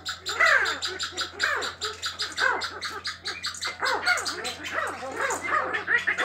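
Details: Chukar partridges in the mate-choosing period calling in rapid harsh chattering bursts, overlapping notes suggesting more than one bird, a constant low hum in the background.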